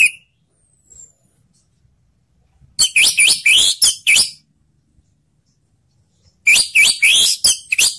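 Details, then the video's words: Orange-headed thrush song played to stimulate stalled thrushes into singing: two bursts of rapid, loud, harsh chattering and ringing high notes, around eight quick notes each, separated by several seconds of silence. "suara anis merah/ untuk mendongkrak anis macet jadi ikut bunyi"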